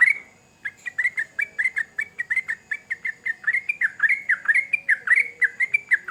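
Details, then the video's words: Sooty-headed bulbul, Indonesian trucukan kept as a songbird, singing a long run of bubbly whistled notes around the same pitch, each a quick rising-falling phrase repeated about every quarter second, with a faint steady high tone behind. "Trucukan Gacor Ngamuk"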